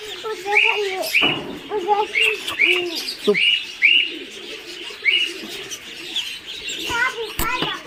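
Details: Farm-raised Muscovy duck chicks in Kamrup, Assam, calling with bright high peeps roughly once a second, mixed with softer lower chittering and a couple of sharp knocks or clicks.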